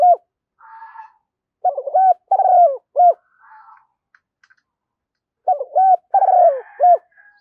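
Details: Spotted dove decoy call from a hen, used to attract doves: low four-note cooing phrases with a long wavering coo, broken by short soft scratchy noises and faint clicks.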